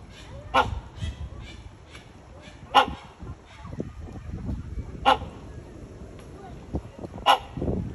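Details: Great hornbill (Buceros bicornis) in its enclosure at San Francisco Zoo giving loud, hoarse barks, single harsh calls spaced about every two seconds, over low background rumble and some faint voices.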